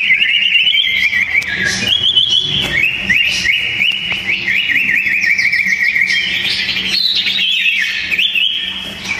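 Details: Two sooty-headed bulbuls in a fierce singing duel, loud and dense song. Varied clear whistled phrases at a steady pitch, with quick up-and-down warbles and short rising notes, sung continuously; faint low hum beneath.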